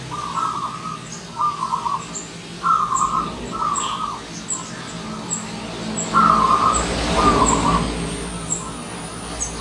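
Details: Wild zebra dove that arrived as a guest, delivering a regular series of short rippling trilled coos roughly every second, while high bird chirps continue and a passing vehicle swells in the background midway.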